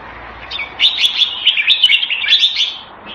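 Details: Red-whiskered bulbul, a kept hobby bird, singing a short burst of bright, chirpy warbled notes. The notes are tightly packed and rise and fall quickly before the phrase trails off. No other sounds stand out.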